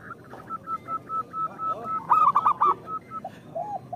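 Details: Zebra doves singing, used as a lure for reluctant local zebra doves: a string of short clipped notes, one loud bubbling four-note coo phrase midway, and softer coos from other doves.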